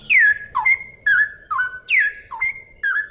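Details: Straw-headed bulbul, cucak rowo, giving loud, clear song: sweeping downward slurs flowing into sustained whistled notes, alternating high and lower phrases about every half second.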